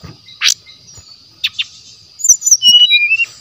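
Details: Brief brown-chested jungle flycatcher song from the wild forest, used as a lure: a loud buzzy burst, two short chips, then a run of clear whistled notes falling in steps.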